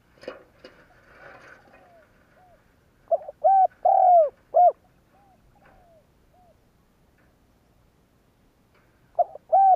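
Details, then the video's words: Spotted dove giving a provoking call meant to stir other doves into cooing: after scattered rustling and faint background sounds, a loud low hooted phrase of short and drawn-out coos, repeated again near the end. "Tiếng cu gáy kích bổi kích sẽ gáy"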